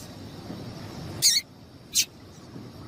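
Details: Two short, high, rasping chips from a female double-collared seedeater, about three-quarters of a second apart, calling to stimulate a male to sing; faint hiss in the background.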